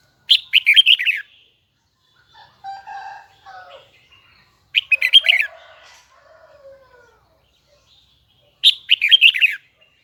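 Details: Huế red-whiskered bulbul repeating a loud, fast warbled phrase of high twisting whistles about every four seconds, with softer lower bird chatter and sliding notes in the pauses.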